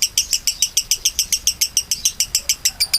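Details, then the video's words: Konslet-style lovebird song, a long-duration delivery used to tutor other songbirds: crisp, high, clipped chirps repeated very regularly, roughly seven per second, like a steady rapid ticking. "Lovebird konslet durasi mulure"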